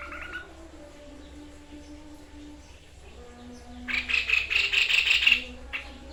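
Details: White-chested babbler (sniper bird) in vigorous song: after quiet seconds with soft low cooing from other birds, a loud burst of rapid rattling notes lasting about a second and a half.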